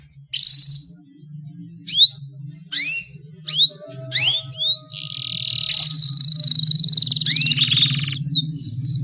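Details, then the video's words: Female canary calls used to get a male singing: a short whistle, then spaced, sharply falling chirps roughly every half second, followed by a long buzzy rattling trill and quick twittering notes, with a low hum throughout. "SUARA KENARI BETINA, PANCINGAN KENARI JANTAN AGAR GACOR"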